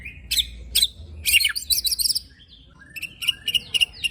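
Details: White-rumped shama bursting song with coarse fill-in, meant to stir rival shamas: harsh, broadband chattering notes in quick clusters, a short pause, then a fast series of sharp chips.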